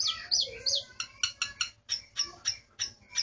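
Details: Starling in captivity delivering a quick run of sharp chirps and squeaky slurred whistles, evenly spaced about three per second, high and bright throughout.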